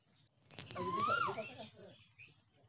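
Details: Asian koel singing in a village: one loud whistled note sweeping upward and then dropping at the end, with a soft low hum in the background.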